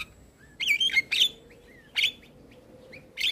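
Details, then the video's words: Male Javan myna singing a full-isian song used to prompt young mynas: scattered short whistled and buzzy chirps, some rising or falling, separated by brief silences. "Suara Jalak Kebo Jantan Full Isian Untuk Pancingan Burung Jalak Muda"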